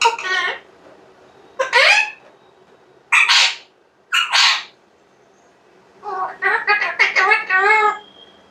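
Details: Alexandrine parakeet kept as a pet, a moody talker that goes quiet when visitors come; loud harsh harmonic squawk-like phrases, four separate bursts, then a rapid run of six or seven choppy syllables.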